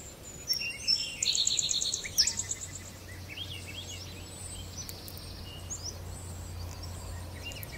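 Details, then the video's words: Small birds chirping at a birdhouse feeder while feeding: a burst of high, thin twittering trills and chirps in the first two and a half seconds, then only a low steady hum and quiet outdoor background. "Little birds chirping and feeding"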